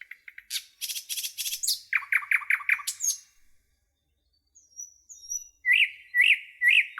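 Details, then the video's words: In woodland, a nightingale gives a rapid clicking run, five repeated downslurred notes, a quiet gap with thin whistles, then three loud ringing notes. "Rouxinol cantando - Canto do pássaro rouxinol na floresta"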